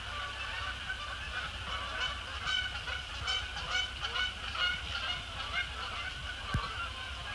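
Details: Flock of Canada geese, resident and migratory birds, arriving after sunset to land on Sapsucker Woods Pond, honking in dense overlapping bursts, busiest mid-clip, over a constant low hum.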